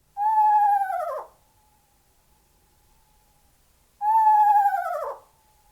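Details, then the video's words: Eastern Screech-Owl giving two descending, quavering whinnies about four seconds apart, each falling in pitch at the end; otherwise quiet. "Yes, that's an owl, the screech owl."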